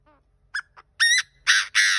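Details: Crowing call of a decoy partridge: soft opening note, two brief chips, then three strong grating notes, the first rising at its end and the last held longest, with a faint low hum underneath.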